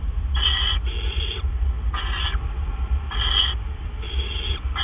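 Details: During a gopher delivery to a great horned owl nest at 1:43 AM on 10 April 2013, rough screeches come in short pairs and singles against a loud low rumble.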